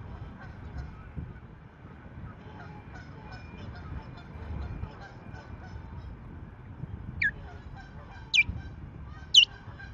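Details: Ospreys at a Rutland nest, 14 March 2024, during an intrusion by a rival female that the resident female drives away: after quiet wind noise, three sharp, piercing downward-slurred notes about a second apart near the end.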